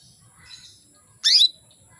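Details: Calling female canary, meant to bring males into breeding condition: one loud, sharp chirp sweeping upward, lasting about a quarter second, after faint twittering and a low background hum.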